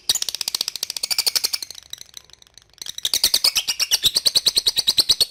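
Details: Lovebird in a long rapid chattering 'ngekek' run, high buzzy pulses in quick succession, pausing for about a second before resuming even faster and louder.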